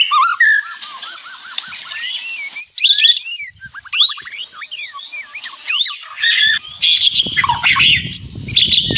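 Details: White-rumped shama giving rattling song while birds answer each other: varied whistles, trills and harsh chatters in separated bursts, with low rumbling noise in the final seconds.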